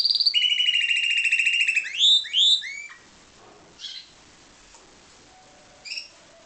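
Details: Parti-coloured Timbrado canary, a bred cage bird, ending a song with a rapid high rolling trill and two swooping notes, then sparse soft chirps in near quiet.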